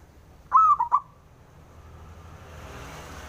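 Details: A male zebra dove of local Javanese stock calls to goad rivals into answering; one three-note cooing phrase, long then two short notes, followed by rising faint background noise.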